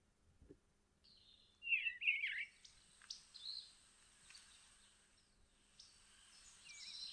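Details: Eastern bluebird, an early spring arrival, singing a short, soft warbled phrase of rising and falling notes, followed by a few fainter scattered notes against a quiet background.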